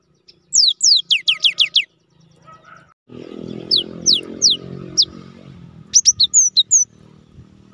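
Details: Gelatik batu, or cinereous tit, in lure song: fast falling whistles at the start, then scattered notes over a loud rushing background noise, ending with a few sharp upturned chirps.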